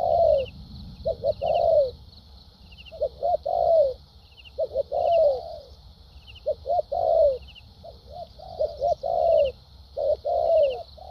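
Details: A spotted dove, newly caught from the wild, sings a structured song with lèo dặm and thúc gù phrasing. Clusters of two or three clipped notes end in a drawn-out descending coo, spaced by short silences under a steady hiss.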